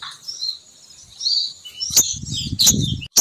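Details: Female sogon bird call used as a lure to draw males down: scattered high thin chirps and short whistled notes, with sharp clicks near the end and a low rumble underneath.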